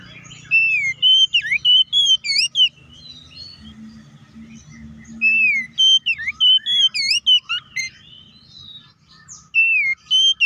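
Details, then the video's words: Lure song of an oriental magpie-robin, meant to make rivals sing: sweet whistled phrases with looping and sharply rising notes, given in three bursts, with a low hum underneath. "KACER GACOR NGEPLONG TARUNG KONSLET BUKA PARU❗PALING AMPUH BUAT PANCINGAN KACER AGAR CEPAT EMOSI!"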